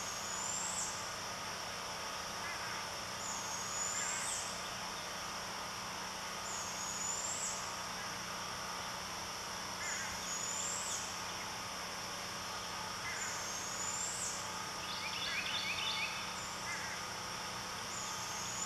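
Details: A barred owlet gives thin, high squeaks about every three seconds in the background while an adult barred owl feeds on a bird carcass, apparently a woodpecker.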